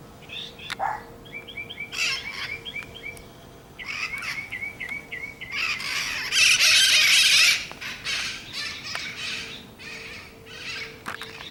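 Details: Wild parrots in Whittier, California, giving harsh squawks and short repeated nasal notes, with a loud burst of overlapping screeching in the middle and a steady low hum beneath.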